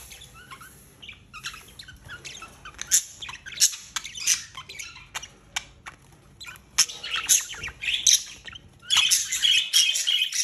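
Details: Two budgerigars mating early in the morning, chattering in quick, scratchy chirps and squeaky warbles that come in uneven bursts.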